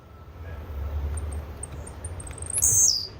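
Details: Thin high ticks from a Blue-black grassquit quicken into a bright, shrill buzz near the end of the recording. A low rumbling hum sits beneath.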